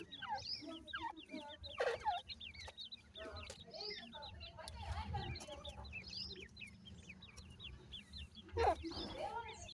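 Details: Grey francolin chicks being fed: many thin, rising peeping notes repeated rapidly from several chicks, with occasional low voices and handling noises.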